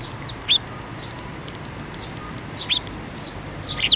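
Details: 7 May 2024 at a Tenmangū shrine: Eurasian tree sparrows gather to be fed, with the year's first fledgling. Three sharp, high chirps about two seconds apart, with faint softer twitters between.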